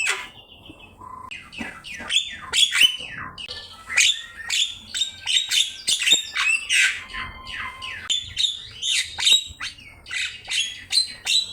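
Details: Javan myna singing steadily as a master for teaching songbirds, opening with a soft whistle, then a long run of sharp clicks, squeaks and downslurred whistles at an even, fast pace.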